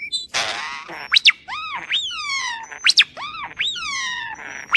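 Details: Starling making human-like sounds: a run of arched, rising-and-falling whistled notes with rich overtones, mixed with short sharp high chirps and a brief rasping burst, loud and close throughout.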